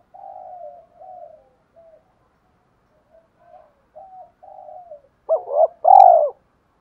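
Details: A soft run of low, level cooing notes from a spotted dove with a 'giọng thổ' voice, a lure meant to excite doves quickly, swelling at the end into two loud, rounded coos.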